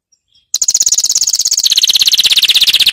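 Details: Canary training song: after half a second of quiet, a loud rapid trill of evenly repeated notes begins high and steps down partway through, continuing as a rolling pulsed tour.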